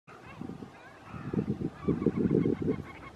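Great crested grebe giving harsh, guttural, low croaking notes in quick rattling bursts, growing louder toward the end, with faint higher bird calls behind.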